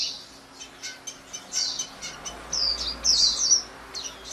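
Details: Plaintive high chirps and short twittering phrases of a white-eye, scattered in bursts with small gaps, over a faint low hum.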